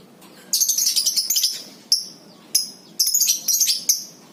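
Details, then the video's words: Lovebird giving the ngekek style, a long chattering call, used as a lure recording: shrill, very high, rasping chatter in dense bursts from about half a second on, broken by short pauses, with several sharp separate squeaks near the end. "PANCINGAN 100% NGEKEK BURUNG LOVEBIRD!! AUTO NGEKEK"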